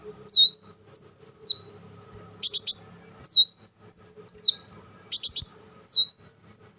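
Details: Black sunbird singing rapid tembakan bursts: a swooping high whistled phrase rising then falling, alternating with sharp buzzy chatter bursts, repeated about every two and a half seconds.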